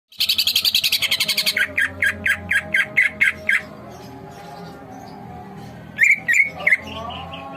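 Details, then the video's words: Greater green leafbird in full song, as a masteran training recording: a fast run of harsh buzzy notes, then about eight clipped chirps roughly four per second. After a pause come a few sharp whistled upslurs over a steady low hum. "masteran cucak ijo gacor"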